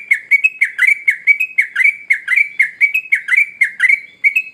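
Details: Sooty-headed bulbul singing vigorously: a clean, unbroken series of rapid, sharp chirps at an even pitch, each note slightly upslurred, against a quiet background.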